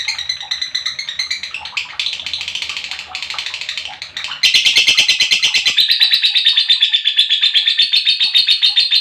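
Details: Lovebird chirping meant to excite other lovebirds: busy, scratchy twittering that breaks into a louder, faster, rattling trill of high, repeated notes halfway through.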